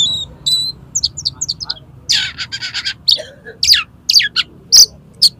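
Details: Challenging another magpie-robin to fight, an Oriental magpie-robin opens its tail and runs through mimicked material: thin high whistles and quick chirps, then a rapid stutter of dry rasping notes and bright sharp calls.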